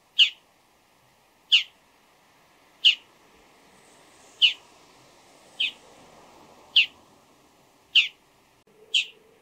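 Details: Bull-headed shrike calling before dawn: eight sharp, rasping notes, one roughly every 1.2 seconds, fairly even and loud, with faint background rustle and a soft high hiss behind them.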